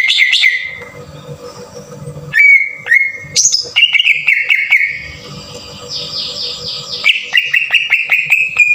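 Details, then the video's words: Lure song of a green leafbird, harsh bursting style, to make even untrained birds sing: clear whistled level notes, a rising stepped phrase and a fast trill of short repeated notes, over a soft background hum. "PANCINGAN PENDONGKRAK EMOSI CUCAK IJO TEMBAKAN KASAR // CUCAK IJO BAHAN PUN JADI GACOR"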